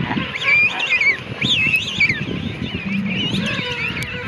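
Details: Breeding colony of king penguins at Gold Harbour on South Georgia. Overlapping bugling, quavering calls from several birds, each a wobbling phrase that swoops up and down, over a steady crowd babble and a low rumble.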